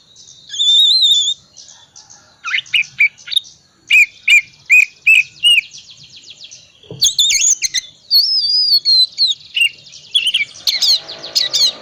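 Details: Ngriwik-style Oriental magpie-robin song meant to coax quiet magpie-robins into singing: a wavering whistle, then a run of sharp, evenly repeated notes, and finally twisting high whistled phrases with a faint rustle at the end.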